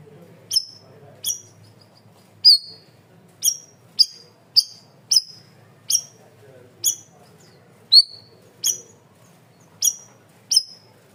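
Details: Cream-vented bulbul on a masteran training recording, loud and clear: a steady series of short, sharp, high whistled chips at irregular intervals of roughly half a second to a second, each dropping slightly in pitch, over a quiet background.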